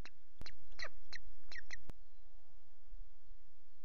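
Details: Osprey calling at its Loch Garten nest with chicks on 5 July: five quick, clear, ringing chirps in under two seconds, framed by two sharp knocks, then quiet background hiss.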